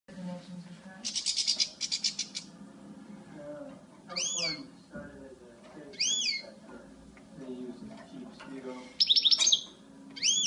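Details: Female European goldfinch: bright, high twittering bursts and arched, rising-falling notes at scattered intervals, with a steady low murmur and faint background noise underneath.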